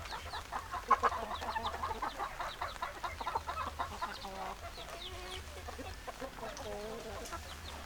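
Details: Chickens, a flock of hens clucking: dense overlapping short clucks and chatter throughout, with a few brief rising notes near the end over a steady low hum.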